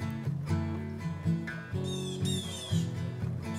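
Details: Plucked and strummed acoustic guitar music plays throughout, with a few high squeaky slides from the strings and no animal voices.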